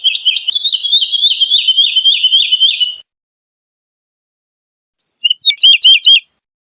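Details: Wood lark produces a three-second series of rapid warbling notes that gently descend, then after a pause a brief fragment of looping high whistles.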